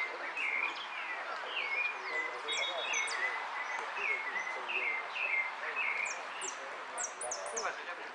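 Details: Finch taking first place in the "amarillo sin cierre" song category at a singing competition in Monte Grande, 30 October 2016. Short slurred chirps are repeated in a steady run, with thin high twitters above and a constant murmur of people.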